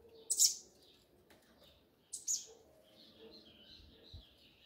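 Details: Double-collared seedeater giving its 'grego' mexida song: two loud, sharp high chirped bursts about two seconds apart, followed by a soft, faint warbling trail of higher notes, over quiet low background noise.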